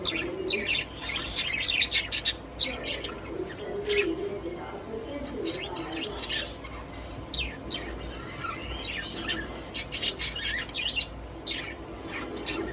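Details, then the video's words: Happy pet budgerigars in a cage: continuous chattering with quick scratchy chirps, short squawks and soft warbling notes from several birds, steady hum behind. "My Happy Budgies | Spreading Love in the Cage"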